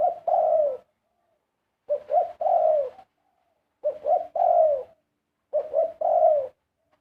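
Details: Dove singing in karam style, four low cooing phrases about every 1.8 seconds, each with two brief rising notes and then a long, slightly falling coo; no other sounds.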